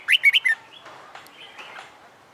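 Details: Caged red-whiskered bulbul, a wild-caught bird trained for fighting song and finding its voice after a month in a new hand cage: one quick phrase of four bright, warbled whistled notes, then faint background sounds.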